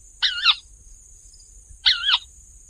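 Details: Raspy, wavering kawa calls from a crake that runs over floating wetland plants rather than flying. Two harsh double notes come about one and a half seconds apart, with a constant high hiss behind them.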